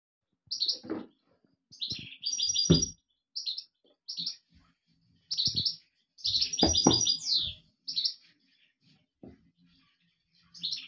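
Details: European goldfinch singing: short high twittering notes in bursts with pauses, two longer rapid trilled phrases near three and seven seconds, and soft low knocks and thumps underneath.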